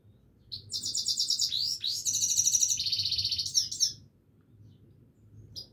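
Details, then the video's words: Continuous Himalayan goldfinch song, a fast tumbling stream of high, tinkling twitters and buzzy trills with a few quick rising slurs, about three seconds long, then a pause and a brief note at the end. "himaleyan goldfinch singing continuesly"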